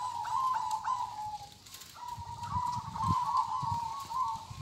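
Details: Zebra dove of a local strain giving kong-style song: two long, warbling trilled coos at a level mid pitch, with low thumps and knocks underneath.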